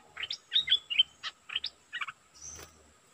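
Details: Streak-eared bulbul used as a decoy bird, giving a quick run of short chirpy, slurred notes in clusters of two to four, followed by a thin high buzzing sound.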